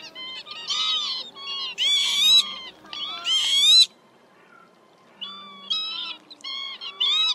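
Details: Northern lapwings, male and female, a lure for night net-trapping of migrating birds in March: nasal, wheezy rising calls in bursts, several callers overlapping, with short quiet gaps between.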